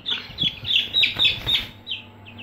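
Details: Close, loud peeping from Aseel chicks in a brooder: bursts of piercing high cheeps in quick succession, then a few softer peeps.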